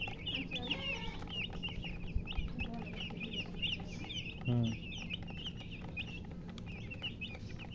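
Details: Chicks chirping nonstop, high piercing peeps tumbling over one another in a dense stream, one brief low clucking burst midway and a steady low drone behind.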